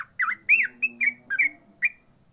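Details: Yellow-vented bulbul song in the ropel manner, six varied notes: a dipping slurred whistle, an arching burry phrase, then quicker bright chirps, with faint low hum in the background.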